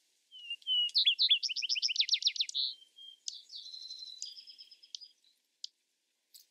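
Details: Song of a Vesper sparrow: soft introductory whistles lead into a quick rattling trill, followed by a thinner stretch of high, level, tinkling notes that taper off into scattered chips and quiet.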